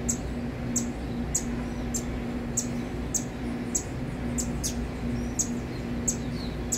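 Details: Saffron finch chicks begging: thin, very high, short squeaks repeated irregularly about every half second, faint over a steady low electrical hum.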